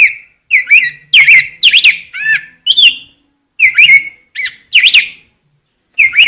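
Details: Rose-breasted grosbeak warbling loud, clear whistled notes in clustered phrases with short pauses between, some notes rising then falling sharply, others slightly husky.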